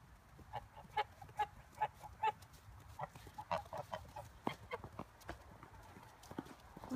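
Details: Six Toulouse geese on a farm heading in for the night honk repeatedly, nasal calls arriving roughly every half second at first, then a denser overlapping chatter of honks from several birds.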